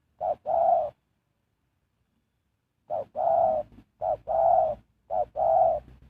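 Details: Spotted dove used as a lure for trapping wild birds: one short-long coo pair, a two-second pause, then three more pairs in quick regular succession, deep and mellow.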